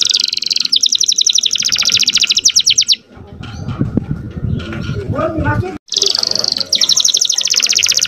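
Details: Young canary song aimed at making female canaries ready to breed: fast high rattling trills open and close the passage, with a noisy mid-section of lower mixed sounds and murmuring between them.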